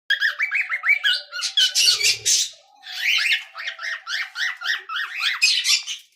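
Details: Pet cockatiel chick singing: rapid series of harmonic chirps and squawky notes, many rising then falling, tumbling over each other in a busy run with a brief harsher burst midway, then more chattering notes.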